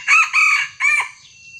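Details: Close red junglefowl crow, heard while a young wild junglefowl is lured with a small decoy bird: three loud, hoarse, stuttering syllables with a fading tail, over faint background chirps.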